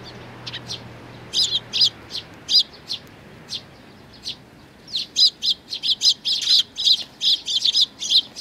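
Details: Sparrow chicks and parents together on 11 May 2019: bright high chirps, a few spaced notes at first, then a rapid, nearly continuous run of insistent chirping in the second half.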